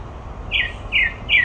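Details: Grey-backed thrush at Olympic Park giving three clear whistled notes about half a second apart, each a short downward slur, with low steady hum underneath.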